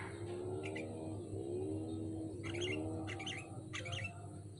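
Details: Caged sooty-headed bulbul on a hanging pole, sounding three or four short bubbly chirp clusters spaced about a second apart, while a lower drawn-out warbling tone and steady hum run underneath.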